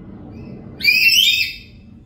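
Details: A single strident shriek lasting under a second from a black-capped lory at home, recorded as lure sound for other birds, heard over a continuous low rumble.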